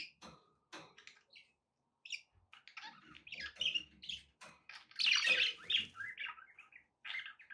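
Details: Domestic budgies against background noise: sparse high ticks and chirps at first, building into dense scratchy warbling and a loud squawky burst, then continued rapid chirping.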